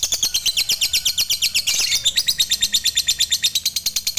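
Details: Fighter lovebird delivering long ngekek chatter meant to provoke other lovebirds into singing. Rapid, harsh, high pulses repeat in a steady stream, briefly blurring into a louder burst midway.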